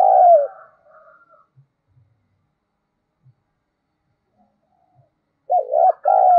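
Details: Decoy spotted dove of the 'giọng thổ' voice type, used as a lure to provoke calling: a falling coo ends the opening phrase, a quiet gap with faint soft knocks follows, then a fresh stuttering coo phrase begins.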